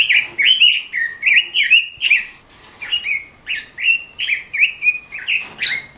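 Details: A red-billed leiothrix, native to southern China and the Himalaya, sings a lively run of short, slurred whistled phrases, about two to three each second, rising and falling in a bright, high warble.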